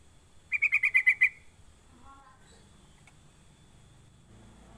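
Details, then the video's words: Sooty-headed bulbul call used as a lure to prompt other bulbuls to call: one quick burst of about seven sharp chattering notes, evenly spaced over under a second, then quiet with faint background murmur. "Pancingan Trucuk biar cepat bunyi gacor"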